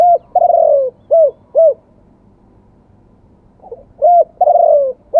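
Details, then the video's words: Spotted dove in live song, wild-voice style with two 'kuk' notes. A long falling coo is followed by two short arched hoots, then a soft low note and another long purring coo. The voice is mellow and low against a quiet background. "ขันสด เสียงป่า 2 กุก"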